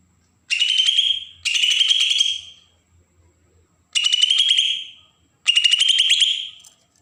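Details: Four harsh, buzzy rattling phrases from a Bornean green leafbird in Berau, Kalimantan, each about a second long with short gaps between them, in the provoking besetan style used to trigger young birds.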